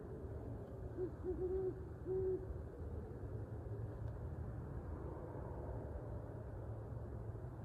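An owl gives a few short, low hoots in quick succession near the start, over a steady low rumbling background noise.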